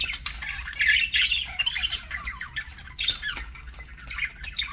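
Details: Pet parakeet during a meal: a lively run of scratchy warbled notes and squawks, loudest early on, then looser chatter with occasional clicks.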